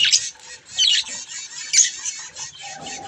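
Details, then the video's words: A continuous harsh, buzzy warble of baby budgies at mirror play rises and falls in loudness, with a steady mid-pitched tone entering near the end. "Budgies chick's mirror fun time 😅Budgies Playing Baby Budgies"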